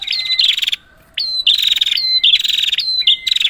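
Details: Prinia calling as a lure for a bird that will not sing: loud, rattling buzzy bursts led by upward-flicked notes, one short silence, and thin level whistles beneath.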